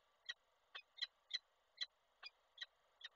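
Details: Koszalin, Poland, 29 November 2023: a male peregrine falcon brings prey to the female, who refuses it. Eight grating, nasal notes come at a fairly steady pace of a little over one per second over low background hiss.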